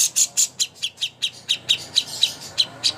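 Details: Greater green leafbird contest master song: shrill, piercing notes that start very high and settle into evenly spaced, slightly lower chirps about four per second.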